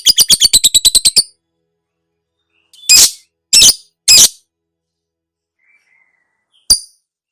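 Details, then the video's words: Lovebird (labet) song used as training audio for cage birds: a rapid run of about a dozen sharp high chattering notes, then after a pause three harsh buzzy bursts and one more squawk. "SUARA BURUNG LABET MASTERAN NGEKEK DURASI PANJANG (PANCINGAN TERBARU)"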